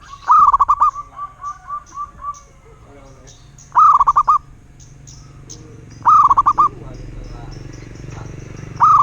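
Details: Local zebra dove repeating loud cooing phrases of one long note and a rapid series of short notes, with a softer, even run of coos after the first phrase and light chirps behind.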